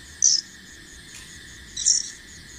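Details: Two loud, piercing high chirps about one and a half seconds apart from a fledgling bar-winged prinia practising flight, with a continuous cricket hum behind.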